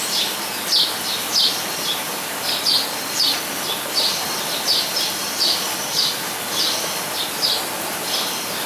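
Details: Captive blue-and-yellow tanager (Thraupis bonariensis), aviary bird at Weltvogelpark, Walsrode, Germany, giving thin, sharp, high chips in a loose series about every half second, some notes paired, against constant hissing ambient noise.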